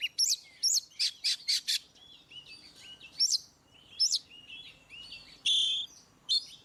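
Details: Oriental magpie-robin in ngeplong style, used to stir birds that rarely sing: a quick series of five bright chippy notes, then scattered swooping whistles and a short harsh burst near the end.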